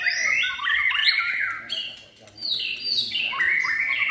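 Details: White-rumped shama trained for singing contests, in its third season, singing rich whistled phrases that slide and rise between mid and high pitches, with a brief pause midway before a fresh burst of varied notes.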